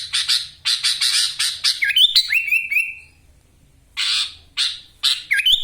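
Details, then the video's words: Sooty-headed bulbul kept in a cage in Wonosalam, East Java, in full song packed with lovebird-style ngekek fills: a string of harsh rasping bursts, then a whistled rising-and-falling phrase, a brief pause, and more scratchy bursts. "Kutilang gacor full isian Ngekek LB ngotot suara tembus"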